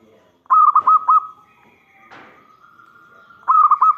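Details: Local zebra dove with a big voice, calling to lure others into responding: two rolling phrases of quick coos, each drawing out at the end, with a short noisy scrape between them.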